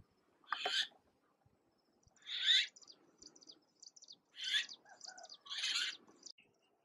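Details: Young red-billed blue magpies in Uttarakhand, India, recently fledged and fed by their parent, give harsh, raspy screeches about every two seconds, with short dry clicking notes in between.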